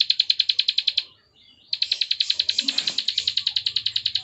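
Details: Bar-winged prinia (ciblek sawah) clicking song: quick high ticks, a half-second pause, then a longer burst of rapid regular clicks with a brief low rustle partway through.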